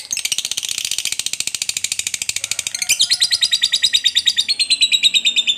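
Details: Lovebird kept as a fighter bird, chattering in a long ngekek trill used to provoke other lovebirds: rapid buzzy pulses, about three per second, high and dense, then a clearer whistled strand sliding slowly downward near the end.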